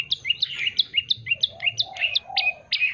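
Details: Yellow-bellied prinia singing a string of sharp, flicked chirps at a quick pace, becoming slightly harsher toward the end, with soft, low mellow notes in the background.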